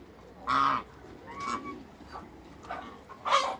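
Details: A couple of large African geese kept in a backyard with other waterbirds: a loud harsh honk, then fainter nasal calls, and a second strong honk at the end.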